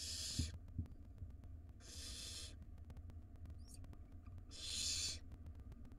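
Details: Barn owl nestlings in a wild nest box, begging as their mother feeds the siblings and one gulps down a big rodent; three rasping hisses spaced about every two seconds, with soft knocks and a brief chirp between.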